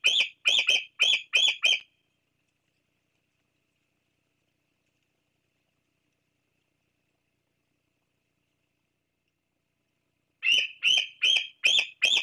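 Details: A juvenile bald eagle, Lilibet, perched near the Fraser Point nest on 26 July 2022, gives high, thin piping notes in quick chattering bursts as she calls her parents, preening between calls.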